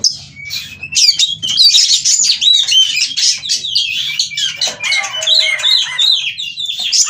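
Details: Oriental magpie-robin in breeding condition, asking to mate, in an excited ngobra display: a continuous torrent of high, rapid whistles, chirps and squeaky slurred notes, with a steady, faint low hum beneath.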